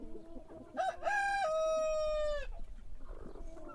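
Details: Rooster crowing in the morning: a short rising note, then a long harmonic-rich crow held level and ending abruptly, followed by quieter background noise.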